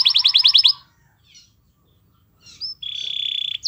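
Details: Canary master song for prompting other canaries to sing: a quick pulsed trill, a short silence, then a long steady buzzy note.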